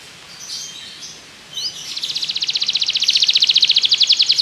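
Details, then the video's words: Belgian canary singing as a training model for other canaries: soft scattered notes, a sharp upward slur, then a rapid, steady trill that grows louder over two seconds. "Canário belga seduz todos os canários para cantar - treinamento de canário"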